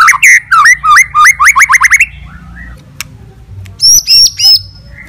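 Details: Fighting song of a white-rumped shama, played to stir rival shamas: rapid series of rising whistled phrases at a quick pace, a pause, then three loud high sliding notes.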